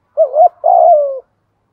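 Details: Spotted dove decoy giving one coo phrase to get other doves calling, a bending short note then a longer purred coo tapering downward, clean and close.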